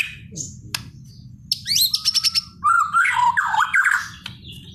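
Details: Vigorous song of a white-rumped shama: scattered sharp notes, then a burst of rapid high trills and a flowing sequence of melodious down-slurred whistles, over constant low background noise.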